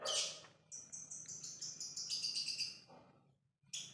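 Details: Lovebird giving its ngekek chatter, played as a lure to prompt another lovebird to chatter: a rapid run of high, thin, repeated chirps, about five per second, bracketed by sharper single notes.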